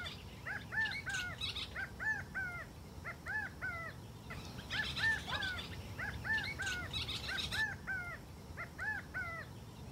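California quail give short, arched, nasal notes in quick clusters of two to four, repeated steadily, over a low rumble of background noise.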